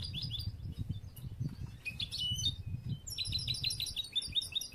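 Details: A young yellow 'bruno' European goldfinch, one of this year's last and still being trained for competitions, sings an unfinished, rambling song of bright twittering notes and liquid trills, ending in a fast repeated tinkling phrase; low background hum throughout.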